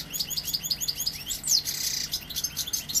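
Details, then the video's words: Young European goldfinch from Seville singing: a fast run of high, twittering, tinkling notes repeated in quick succession, with a thin upward slur midway, over steady hiss and low noise. "Jilguero joven sevillano pegando"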